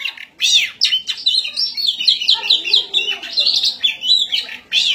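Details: Oriental magpie-robin singing in ngobra style while fighting: a loud, rich, fast run of varied whistles, slurred up-and-down phrases and sharp chirps, almost without pause, with a brief quieter break near the start.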